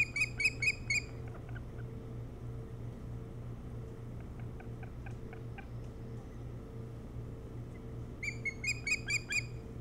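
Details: Osprey at its nest on Hog Island near Bremen, Maine, filmed by a nest cam in the early morning of 07-03-2018. Rapid bursts of sharp, whistled chirps open and close the recording over a steady low electrical hum.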